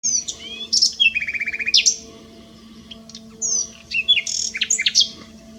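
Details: Common nightingale singing at S'Albufera, 9/6/23: sharp whistled sweeps, then a fast run of repeated buzzy notes near one second, and after a quiet gap a burst of bright varied chirps and slurs over a steady low hum.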